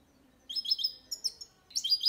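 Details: Singing goldfinch × canary hybrid, Malaga-style copy song meant to train males and chicks: three bursts of high, quick twittering notes separated by short pauses, over a faint low hum.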